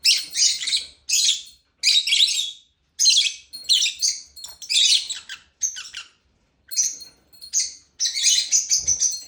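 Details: Lovebird chirping in a regular series of harsh, squawky high notes about one per second, some clipped and some longer, with brief silences between.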